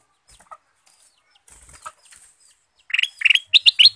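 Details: Male sooty-headed bulbul (kutilang emas) sung as a lure: after soft rustles and a wing flutter, a burst of loud, quick chirps, some rising, about four to five per second.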